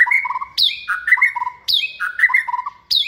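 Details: Hand-raised caged white-rumped shama, in its second season and a confident competition singer, repeats a short phrase three times: a high downslurred whistle, then lower warbled, trilling notes.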